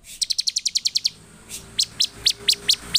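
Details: Agitated Bar-winged prinia song, a fast run of about eleven sharp high chips, then slower well-spaced rising notes every quarter second.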